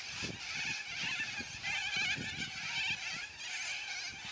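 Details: A noisy flock of yellow-crested cockatoos with loud squawks: continuous overlapping raspy screeches from many birds, rough and uneven, with low thudding noises underneath.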